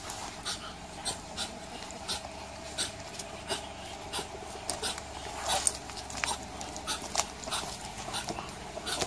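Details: Muscovy duck producing a steady run of soft, airy hisses and huffs, roughly one to two per second, irregular in spacing, heard close up in a quiet setting.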